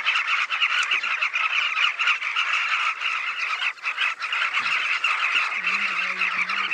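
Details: Southern carmine bee-eaters gathered in a large colony on the banks of the Luangwa River, seen from a hide. Many overlapping rolling, throaty calls form a dense, unbroken chorus, with a brief low hum near the end.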